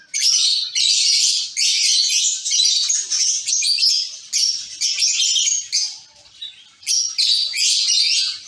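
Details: Caged colony of zebra finches calling together: a dense, near-continuous chorus of short, high, nasal chirps and squeaky notes overlapping in rapid bursts, with a few brief pauses around the six-second mark.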